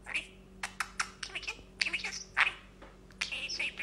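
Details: Parrot said to speak many words, including "hey": a run of short, sharp, squeaky syllables and chirpy bursts, some with bright harsh overtones, coming in quick irregular clusters with brief gaps, over faint steady background hum.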